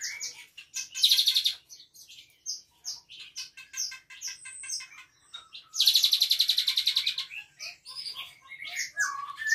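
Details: Asian pied starling from Bandung singing unprompted, with borrowed phrases in Cililin style such as canary; high scratchy chatter in bursts, two long rapid trills of repeated notes, and assorted sharp whistles between them.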